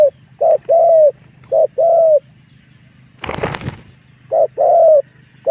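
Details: This spotted dove call serves as a lure to draw wild doves into fighting. Repeated paired coos, a short note then a drawn-out one, are broken midway by a brief loud rustling thump.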